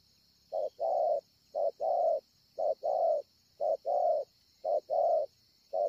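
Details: Ngọc Hồi, 25 March 2020: a wild spotted dove gives steady rounded coos, a brief note leading into a drawn-out one, repeated at an even pace near once per second. A faint constant high hum lies beneath.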